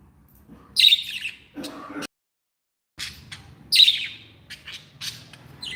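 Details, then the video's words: Happy pet budgerigars giving bright, sharp chirps with a downward sweep, two bursts separated by a short silent gap, with faint lower chatter between them. "Happy budgies | Happy budgies sound"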